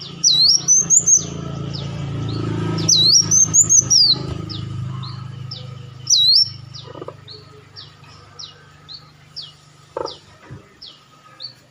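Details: Lure recording of an olive-backed sunbird: three bright looping whistled phrases with quick chips early on, then softer scattered high notes fading against a low background hum.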